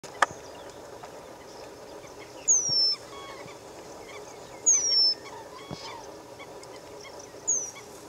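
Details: Eurasian penduline tit calling in Israel in December 2023: thin, very high, drawn-out descending whistles, about one every two to three seconds, over a soft background hiss.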